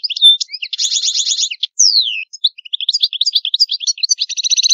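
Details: European goldfinch singing in the old Palermo Sicilian style, a clean recording with no background noise: a fast, high twittering song with buzzy trilled bursts, a long descending slur, then chattering notes and rapid repeated trills.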